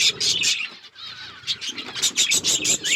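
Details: Flock of budgerigars eating seeds in an outdoor forest aviary; rapid high scratchy chirps and warbling chatter, nearly continuous, overlapping from several birds.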